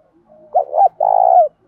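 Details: A spotted dove decoy voice meant to spur rivals to fight. One coo phrase of two quick clipped notes and then a long, even, burry note, preceded by a soft murmur.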